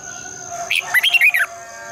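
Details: Red-whiskered bulbul singing in the morning in a long double twisting voice, used to spur other bulbuls to sing: one quick phrase of five or six bright warbled notes that rise and fall, over a faint steady high hum.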